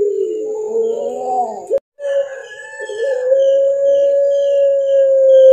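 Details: Puter pelung, a caged Barbary dove from Indonesia with a black collar, in a mastered recording. A wavering, bubbling low coo breaks off abruptly, then resumes as a long, steady, drawn-out hum that swells slightly toward the end.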